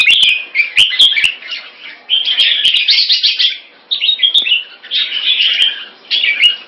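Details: Singapore-kept red-whiskered bulbul in a rotational sparring session with fast wing display, pouring out rapid bursts of scratchy, warbling chatter in quick phrases separated by short pauses, with scattered sharp clicks.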